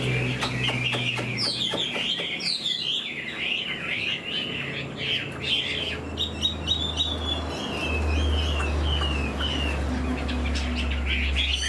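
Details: Fan-tailed caged Chinese hwamei in fresh plumage, singing with tail flicks: a rapid stream of clear swooping whistles and repeated notes, over a loud steady low hum.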